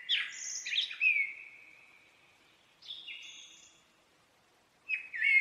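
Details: Common blackbird singing: a mellow fluted phrase sliding into a long, level whistle, then a short high twitter and a fresh whistled start near the end. The background is quiet.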